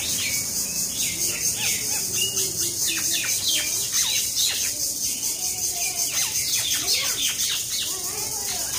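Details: Common mynas fighting at Kalatia, Keraniganj, Bangladesh; a constant tangle of harsh chatters and squawks with faint lower whistles beneath.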